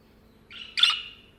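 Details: Single grating chirp from a budgerigar perched on someone's hand: a brief softer note slides straight into a louder, buzzy squawk.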